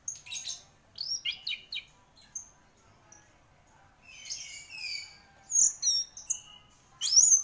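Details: Orange-headed thrush, a champion gacor singer, delivering mixed phrases: clustered chirps, sliding whistles, a rich warbled passage and loud piercing high notes toward the close, with short quiet gaps between bursts.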